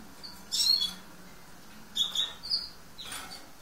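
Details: Lesser goldfinch, green-backed form (Carduelis psaltria hesperophila), giving a few high, thin twittering notes in short bursts about every second, with faint low background hum.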